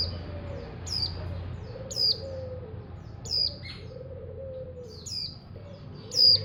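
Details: Untrained captive mountain white-eye from a kicaumania songbird hobby setting, sharp high chirps roughly every second, with a softer low wavering note, possibly another bird, beneath and constant low rumble.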